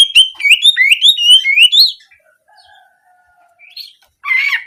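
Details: Oriental magpie-robin song in the canary-shooting style, meant as therapy to get birds singing for daily practice or contests: quick run of rising whistled and trilled notes for two seconds, then a pause, faint thin notes and a final harsh burst.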